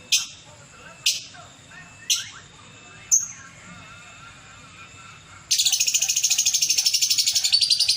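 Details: Caged lovebird at a bird-singing contest in Betung Banyuasin, Palembang, where it won first class: four sharp, high chirps about a second apart, then a fast, loud, continuous chattering trill from the midpoint onward, with faint crowd murmur.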